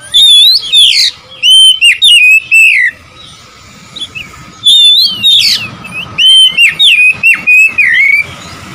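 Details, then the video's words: Oriental magpie-robin song aimed at provoking rival birds: loud whistled and buzzy phrases in two bursts separated by a quiet gap of about two seconds. "memancing emosi Kacer lawan"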